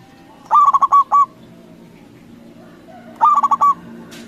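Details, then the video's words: Zebra dove of local stock calling loudly to stir other doves to reply: two bursts of fast cooing notes ending in a held coo, under three seconds apart, a brief hiss at the end. "Perkutut lokal Gacor Suara BESAR bikin Cepat Emosi Lawan Auto Nyaut Seketika"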